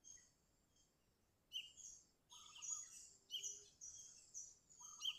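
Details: Sooty-headed bulbul in full song to rouse rival birds, a trapping lure: strings of chattering, bubbly phrases with brief lower whistled notes, growing denser after a quiet start.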